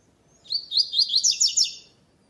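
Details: Double-collared seedeater, a caged bird entered in a web singing tournament, classic song style without third note: a high, clear run of about six quick descending whistled phrases, sweet and ringing, lasting around a second and a half.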